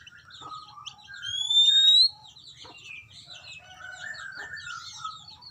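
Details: Oriental magpie-robin song played as a lure for untrained birds. A sharp rising whistle stands out over a steady mix of lower warbled phrases and high scratchy twittering.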